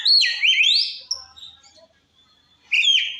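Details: Oriental magpie-robin in ngeplong song used to stir other magpie-robins: a loud phrase of steep upward sweeps and held whistles that fades into quiet, followed near the end by a new strong twisting note.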